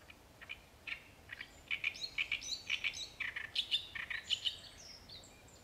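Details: Great reed warbler singing loudly: a run of harsh, grating, croaking syllables in quick uneven succession, mixing low grinding notes with higher squeaky ones, lasting several seconds against a quiet background.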